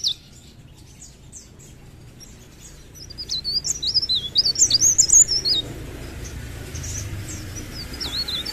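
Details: A mountain leaf warbler, locally called Blerengan or Cikrak daun, in full song: faint high chips, then a loud burst of rapid, zigzagging squeaky notes, followed by softer scattered twitters.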